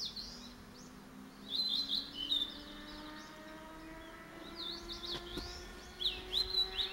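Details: A male blue-and-white flycatcher sings actively: short, high, clear whistled phrases with quick slurred notes, repeated every few seconds, over a low steady hum and faint background chirps.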